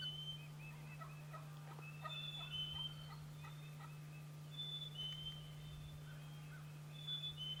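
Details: A wild turkey gives an early-morning gobble on an April spring hunting morning: a fast, rattling gobble that tumbles downward. Other birds whistle high in the background over a steady low hum.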